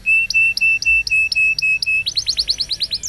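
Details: Canary roll song played to train young canaries: a run of steady, clear whistled notes repeated about four times a second, then a quicker series of bright falling sweeps that ends on a high upslur.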